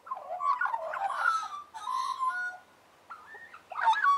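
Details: Several Australian magpies warbling together, bubbling fluted phrases and drawn-out notes, a short lull, then a sharp burst of renewed warble.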